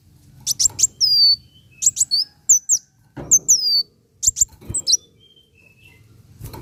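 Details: Van Hasselt's sunbird singing, a recording meant to get caged birds singing: scattered bursts of piercing high chirps and short downslurred whistles, separated by brief silences, with faint low background rumble.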